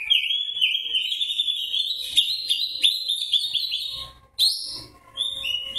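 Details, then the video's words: An Oriental magpie-robin of the white-breasted form, singing in fighting style, pours out a loud, unbroken run of bright whistles and rapid slurred notes, rising and varied, with a brief pause before it resumes. "Kacer dada putih narung gaya ngobra"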